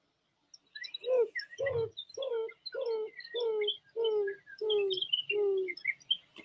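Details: In southern Missouri, a Greater Roadrunner perched atop a roughly 40-foot tree calls to attract a mate. It gives eight low, dove-like coos, each sliding slightly downward, about one every 0.7 seconds, with thin chirps from small birds above.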